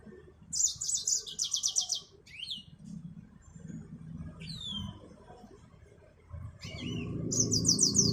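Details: Yellow-fronted canary (Mozambique finch) alternating fast buzzy trills with single sweeping downslurred whistles, the trills returning near the end against a rising low background hum.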